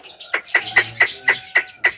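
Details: Javan myna giving sharp, bright chirps spaced about a quarter second apart, each a short piercing note with a softer scratchy tail.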